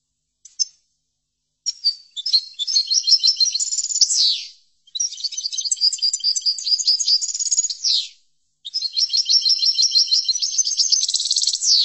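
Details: Chordonier-style song of a European goldfinch used for song tutoring: long, rapid, liquid twittering with tinkling trills and buzzy rolls in three continuous phrases separated by short pauses, clean with no background.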